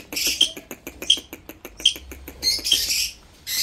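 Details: Indian ringneck parrot making repeated short, harsh squawks with thin whistled pips, set against a fast, regular ticking sound that runs through the whole recording.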